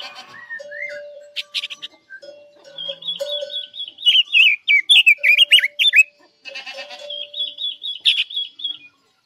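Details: Chinese hwamei singing, used to lure birds into traps: a steady low humming tone and scattered noisy bursts accompany wavering whistled trills and a loud run of sharply inflected whistled notes.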